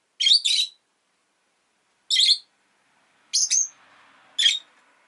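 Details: Loud, shrill double and single chirps from a pet rosy-faced lovebird, spaced about a second apart over a quiet background with a faint low hum.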